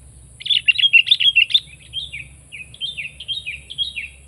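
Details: A sooty-headed bulbul delivers a lively chattering song: a dense cluster of bubbly whistled notes, then a slower series of softer, slurred downward notes, with low background hum.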